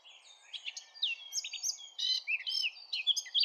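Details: Eurasian blackcap in a sunny park, singing a busy, varied warble of short whistled and chattering notes that grows louder toward the end.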